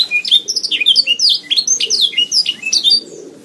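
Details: Canary song used as a training recording to build the mental and vocal skills of pet canaries: a rapid, continuous stream of high whistled notes and trills, sweeping and dropping, with varied phrases and no pauses, the notes brief and sharply modulated.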